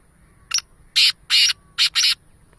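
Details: Black francolin, known as kala teetar: a short note followed by four harsh, grating bursts. The middle two bursts are long and the last two come as a quick pair, giving a rhythmic, creaky phrase against a quiet backdrop.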